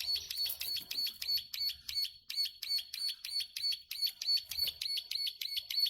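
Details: Long clicking song of a plain prinia, locally ciblek sawah: a rapid, even series of dry, buzzy ticks, roughly three per second, pulsing on and off and sustained throughout, softer and slightly distant.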